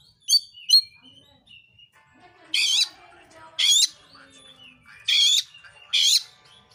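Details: Oriental magpie-robin singing actively, a recording to provoke other magpie-robins into song; two quick high chirps, then four loud harsh rasping bursts about a second apart over a faint steady hum.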